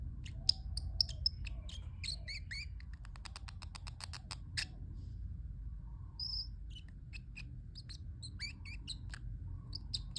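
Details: Pet parrotlet making cute sounds: a busy, irregular chatter of clicks, squeaks and high chirps, dense at first, then sparser with a few clear whistled notes, over faint low hum.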